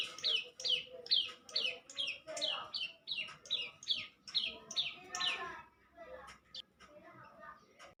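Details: Young bar-winged prinia singing eagerly: a rapid run of about eleven sharp descending notes, nearly two per second, for five seconds, then softer scattered twitters and chips.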